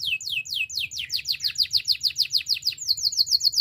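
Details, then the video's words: Spanish timbrado canary song for training: a loud run of downward-sweeping whistled notes repeated about three times a second, ending in a quicker high trill, low hum in the background. "Canary singing for training - Spanish timbrado song"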